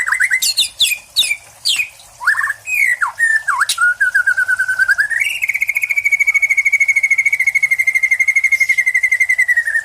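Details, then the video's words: Caged white-rumped shama with a contest record from Cililin singing loud swooping whistles and chirps, then holding a long steady trilled note, rapidly pulsed, for about five seconds to the end. "MURAI PRESTASI"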